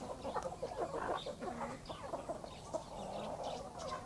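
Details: Morning in a backyard flock, a hen with her chicks: a busy mix of short clucks and murmuring calls, with brief high chick peeps breaking through at intervals.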